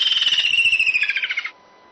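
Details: Woodland kingfisher, mainly an insect eater, whose call marks the coming of summer, giving a high, rapid trill of clipped notes that slides gently downward for about a second and a half with a laughing quality.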